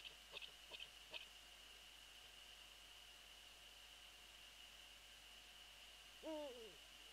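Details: Calls of a Eurasian eagle-owl heard near its nest shortly after midnight on 22 February 2013, with the female off the nest: a few soft clicks early on, then one arched, rising-and-falling harmonic call near the end, against constant high-pitched hiss.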